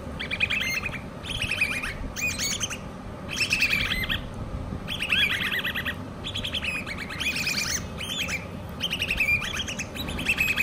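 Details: Hand-reared common babbler chicks giving harsh, raspy bursts of squeaky notes in short clusters, each lasting under a second and repeating roughly every second, over a steady low rumbling background.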